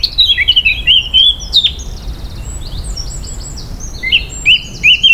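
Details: Blackcap song: varied high, clear whistled phrases and quick chirps, loud bursts opening and closing the stretch with quieter twittering between, over a low background rumble.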